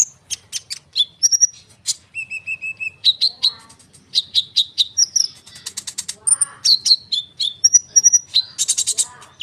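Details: Konin bird singing busily, used as a lure for other birds: quick strings of sharp high chirps mixed with clear, level whistles and rattling bursts, delivered almost without pause over steady low background hum.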